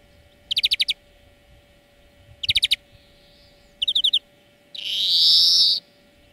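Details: Greenfinch lesson song for training birds, three short buzzy trill bursts spaced over four seconds, ending in a long loud wheezing note.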